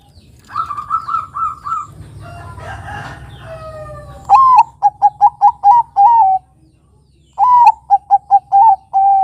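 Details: Bangkok-type zebra dove song meant to prompt young birds to sing: another bird's rapid, harmonic calls come first, then two dove phrases, each with a rising coo, a run of quick clipped notes and a sustained closing hum.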